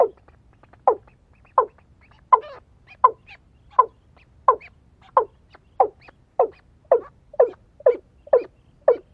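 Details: Watercock called in with a female decoy bird, giving a long series of hollow, downward-sliding notes spaced roughly every 0.6 to 0.7 seconds, steady and clear over faint background hum.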